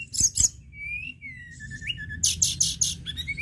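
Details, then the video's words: Energetic Sunda robin song: clear level and slurred whistles, one rising sharply, then a run of four rapid buzzy rasping notes and further whistled phrases, with a faint low hum beneath. "TLEDEKAN GUNUNG GACOR"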